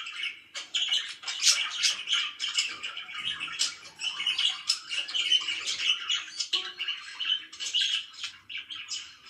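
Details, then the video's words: Morning chatter of pet budgerigars: continuous raspy warbling with rapid chirps and squawky notes pulsing in irregular bursts, steady and lively from start to finish. "CHIRPING IN THE MORNING"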